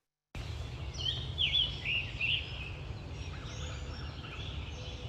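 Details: Scarlet Tanager song, a robin-like warbling with a buzzy quality, delivered in phrases, from a bird singing high in the canopy: a burst of hoarse, slurred notes for about a second and a half, then fainter phrases amid low background noise.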